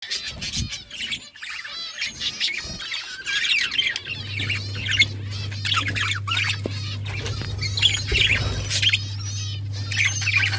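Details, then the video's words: Budgerigars kept for breeding chirp and warble in a busy chorus of rapid, scratchy high notes, with a steady low electrical hum starting about four seconds in. "Budgies breeding progress | Birds chirping sounds"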